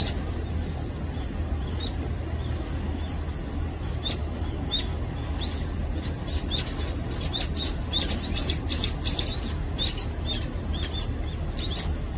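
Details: Brown-eared bulbul (Hypsipetes amaurotis), a resident bird, at its morning feeding, giving short, sharp high chirps in irregular bursts, busiest toward the end, over a steady low rumble.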